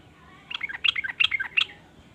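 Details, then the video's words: Sooty-headed bulbul giving its varied song that draws other bulbuls into singing: a brief burst of four clustered bubbly chirping notes, somewhat faint against a hissy background. "ber macam" suara trucukan ini bikin trucuk lain iri jadi langsung ikut bunyi"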